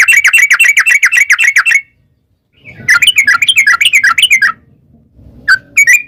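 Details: Yellow-vented bulbul (trucukan) in a fast 'ropel panjang' chatter, a female calling a male, played as a lure for wild birds. Busy rattling runs of notes, a short gap, another tumbling burst, then single whistles.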